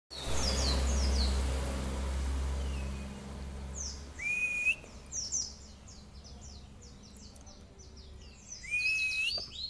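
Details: Mountain white-eye masteran training song with long 'cerrr' bursts: high, thin, quick downslurred chirps in loose series, a short steady whistled note, then more chirps, over a loud low hum in the first three seconds and background noise.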